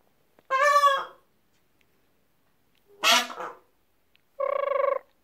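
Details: Startled peachicks sound three separate alarm honks spaced over about five seconds. The first is nasal, the second raspy and noisy, and the last a steady buzzing, even-pitched honk. A person also made alarm noises with them.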